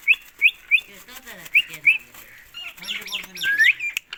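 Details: Pet Indian ringneck parakeet making short, bright upslurred chirps, about five in quick succession. After a pause comes a longer rising whistle with a lower voiced sound underneath.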